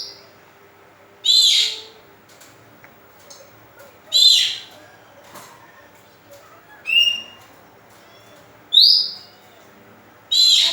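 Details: Oriental magpie-robin singing, a recording meant to lure and stimulate other birds: short bright whistled bursts repeated roughly every two to three seconds, each a rich slurred phrase, with faint softer notes between.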